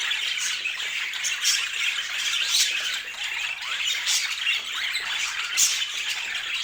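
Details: Pet budgerigars of many colors chatter in a steady flock chorus, scratchy warbled chirps overlapping continuously, punctuated by a few sharper bright peeps.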